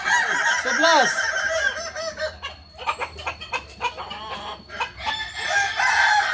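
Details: Kukuak Balenggek rooster at a Sunday practice contest in Ampangkualo ends a crow with steep arched syllables in the first second, followed by rhythmic clapping, crowd noise and a further faint crow.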